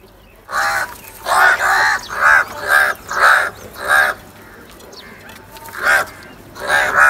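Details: Crow calling, perhaps during a fight over food: a rapid run of harsh, rasping caws, about two per second, then a short pause and more caws, loud and close.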